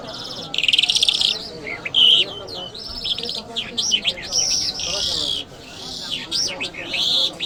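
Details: Lark from Iran, Mashhadi type, delivering bright high song: a rapid trill burst, then rising and falling whistled loops and sustained buzzy notes, fairly clean with little background.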